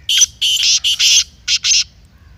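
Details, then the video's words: Loud rasping call of a black francolin, played so a kept bird will call and get ready for chakri. About six gravelly notes are grouped into a rapid stuttering phrase that ends in a paired couplet, against a quiet background. "Kala Teetar masti aur chakri k liye behtareen awaz/Black Teetar Voice"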